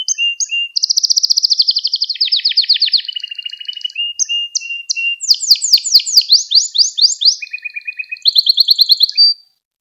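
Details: Canary song for training young canaries: a loud fast trill slides lower, followed by clipped notes, a run of downward-sweeping bright notes, a lower rattle and a final high trill, no background noise.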